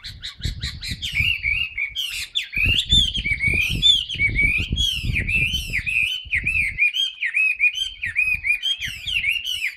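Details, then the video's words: Sustained song of a caged Chinese hwamei with newly moulted plumage, tail spread: fluid, rollicking whistled notes repeated in quick undulating strings, some sharp high flourishes above, faint low rumbles beneath. "HM 275 siêu mẫu áo mới đẹp long lanh hót xòe bền"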